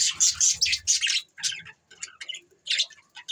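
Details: Budgerigar chirps on December 22, 2023: loud rasping bursts at first, then quicker, thinner chirps at about two per second, with faint low rustling underneath.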